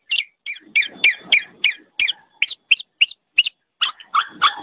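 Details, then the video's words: Kepodang, the black-naped oriole, in a tutoring recording for songbirds: clipped, slightly harsh notes come quickly at first, then slow to single sharp chirps, ending in a rougher, fuller burst. "MASTERAN BURUNG KEPODANG"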